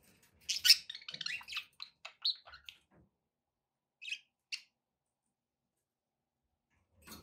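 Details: Pet budgerigars with background noise: a quick burst of scratchy chirps and warbles, then two short isolated chirps and a faint final note after a long quiet gap.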